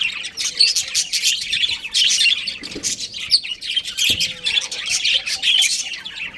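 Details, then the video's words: Breeding pair of budgerigars kept at home. Rapid twittering with clipped squeaks and short whistled notes, bursts rising and falling in loudness, with a couple of soft thumps. "Cute Budgies Chirping Sounds"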